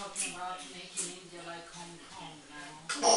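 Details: Female African grey parrot, eight years old, kept as a pet, chatting to herself in a bathroom; a steady run of speech-like, voiced babbling phrases, ending in a sharp, bright whistle-like burst.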